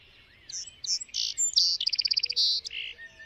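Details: Song sparrow song: a few clear separate opening notes, then a fast run of high repeated notes, a buzzy phrase and lower closing notes, all within about three seconds, over a faint low hum.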